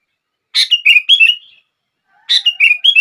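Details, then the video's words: Sooty-headed bulbul song meant to make other bulbuls start singing: two bubbly phrases, each a sharp opening note followed by three or four slurred, rising-and-falling whistles, with a pause of about a second between them. "Kutilang Lain gak bisa diam saat mendengar suara ini!!!"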